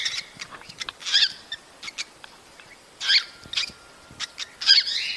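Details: Cockatiels uttering mating calls to prompt breeding: loud harmonic screech-like chirps in bursts, with clicks and short squeaks between them and a thin steady tone near the end.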